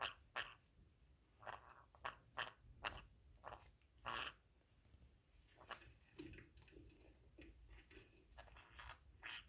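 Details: Pet female green-cheeked conure tucked inside her owner's pocket indoors, chewing at it and making a strange noise, perhaps wanting to mate: short raspy bursts repeated irregularly, roughly every two seconds, amid fabric rustling.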